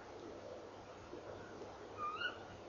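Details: Female tawny owl calling at 04:33 on 3 December 2013 while sitting beside her nest box after an hour eating inside. One short, rising, slightly hoarse call with harmonics, over steady low background hiss.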